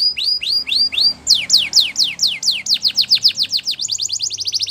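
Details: Singing canary for training young canaries: repeated upward-curving whistled notes, then a long series of loud downward-sweeping tours that quicken into a rapid rhythmic roll at the end.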